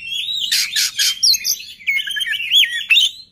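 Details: Singing oriental magpie-robin, its voice meant to provoke rivals into song: rapid harsh rasping notes give way to looping, wavering whistles and chattering phrases in a dense, unbroken stretch.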